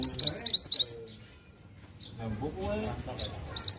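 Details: Mantenan singing vigorously: a quick run of high, upward-sweeping whistled notes, about six in under a second, then a thin sustained high tone and scattered faint chirps before another burst of sweeping notes.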